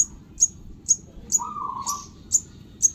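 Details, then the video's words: Chick of the sogon bird uttering shrill single peeps about every half second; a brief mid-pitched whine and low background hum are also heard. "anakan burung sogon"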